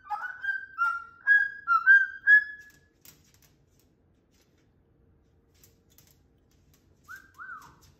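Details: Indoor pet cockatoo producing loud, clear whistled notes in a quick uneven series, then a pause and a brief pair of down-slurred whistles near the end.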